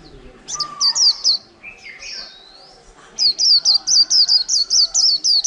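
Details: White-eye caged for over a month after being caught wild, giving a líu-style song. A few varied whistles open into a fast, even series of sharp, high, clipped notes repeated several times a second.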